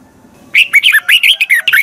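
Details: Fiery Red-whiskered bulbul song from Thailand: an unbroken, rapid chain of eight or so loud, lilting whistled notes, rolling up and down for over a second.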